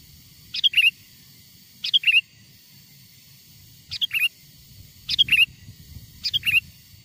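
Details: Energetic sooty-headed bulbul lure song, recorded from wild birds to make wild bulbuls respond: five short chirpy phrases at uneven intervals, each a quick tumbling note group, with a soft background rumble.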